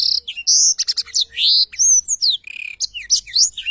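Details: Black-throated canary singing in full, lively voice, a tutor recording for training songbirds: fast, high whistled notes, rising and falling slurs and buzzy trills in a dense, unbroken stream.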